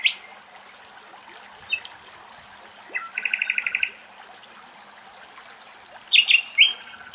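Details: Common nightingale song recorded in Greek nature: varied phrases of quick repeated notes, a high thin trill, a lower buzzy rattle, a long run of fast high notes, and loud accelerating repeated phrases near the end; light background rustle.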